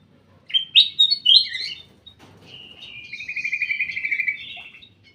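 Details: Captive ruby-throated bulbul in a private aviary sings three loud, liquid whistled phrases, pauses, then adds a steady rapid trill of repeated notes that gradually swells and fades.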